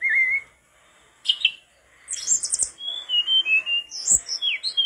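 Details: Mangrove blue flycatcher singing: a low whistle, a buzzy burst, then a long run of high chirps, whistled slurs and rattling notes, with a couple of faint clicks.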